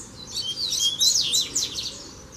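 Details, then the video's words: Double-collared seedeater song from a free bird confronting a caged one during fighting-spirit training: one brief, dense rush of high twittering slurs and whistles, loud and continuous. "O COLEIRO VEM NA MÃO PRA PEGAR O DA GAIOLA!!! TREINO DE FIBRA NO COLEIRO SOLTO!!!"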